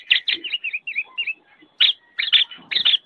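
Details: Black-naped oriole (kepodang) singing for songbird tutoring: a tumbling phrase of bright, slurred notes that drop in pitch, a short pause, then a louder, harsher cluster of chirps.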